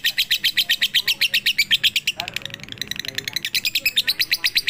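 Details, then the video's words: Lovebird delivering 'pigter' song from a night-time training recording: fast shrill chirps, about four per second, dip briefly midway under a softer twitter, then resume at full strength. "MASTERAN SUARA BURUNG LOVEBIRD COCOK UNTUK MALAM HARI FULL PIGTER"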